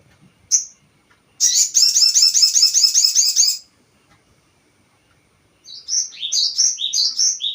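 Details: Crested jay lure call meant to provoke other birds: a single short note, then a dense two-second burst of rapid harsh rattling notes, a pause, and a looser series of high chattering notes.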